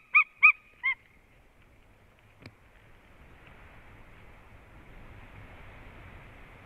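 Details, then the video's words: White-tailed eagles calling at the nest, 6 November 2016 at 15:57: three loud, sharp, yelping notes in quick succession, then silence; a single knock and a soft rising hiss of wind follow. "juras erglis eagles call in the nest"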